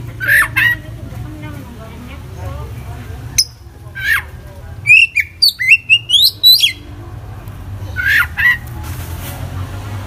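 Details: Full isian song from an oriental magpie-robin (kacer): bright slurred whistles, then a quick run of rising chirps and sweeping notes, ending with repeated downslurred whistles over a low mechanical hum.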